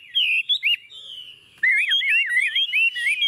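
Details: Chinese hwamei, a tame caged bird set on a table, singing confidently: loud clear whistled notes around a steady pitch, then a fast run of looping, wavering phrases.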